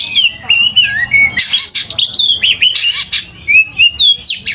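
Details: Lure song of an Oriental magpie-robin for teaching young birds to sing: clear slurred whistles alternating with scratchy, buzzy notes and quick chattering, packed densely and energetically throughout.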